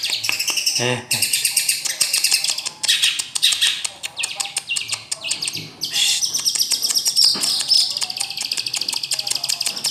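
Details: Song of a long-tailed shrike: loud, harsh, buzzy high phrases run together almost without pause, broken by short sharp ticks and one brief gap near the start.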